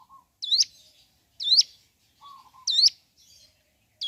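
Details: Mountain leaf warbler in the morning, its voice meant to excite other birds into song; spaced, sharp, high notes with a twisting flourish about every second, alternating with a faint low whistle.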